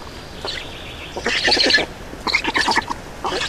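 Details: At a black stork nest in Estonia during changeover and feeding on 31 May 2019: short bursts of rasping, stuttered calls separated by brief pauses, over a quiet background.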